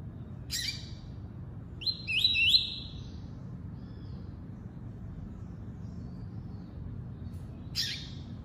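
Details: A double-collared seedeater gives one tuí-tuí phrase: a pair of quick rising notes stretching into a level buzzy trill. It is framed by two short sharp clicks or knocks and a low background hum.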